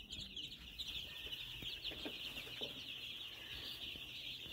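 Many chicks peep together in a dense, continuous high-pitched chorus, with soft low clucks and shuffling beneath.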